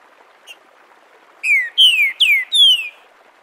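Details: Green-winged saltator (Saltator similis) phrase in the "Bom dia seu Chico liso" dialect, used to teach young birds, recorded live: a soft opening note, then four crystalline whistles, each sliding down in pitch, delivered in quick succession.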